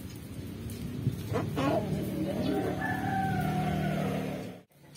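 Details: A Pelung rooster gives a long, drawn-out crow that holds steady, then slowly falls away, crowing restlessly at the sight of a hen placed beneath its raised cage to stimulate crowing.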